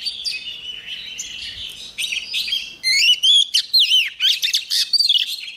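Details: Female White-rumped shama song meant to set caged males singing: a varied run of rich whistles, fast chattering notes and swooping slurs that grows louder after three seconds, with fainter background song before.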